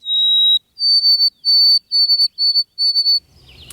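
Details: White-throated Sparrow, a loud singer usually high in forest trees and consistent in the morning, whistling its pure, clear song: one long opening note, then a slightly higher note repeated in six evenly spaced steady whistles.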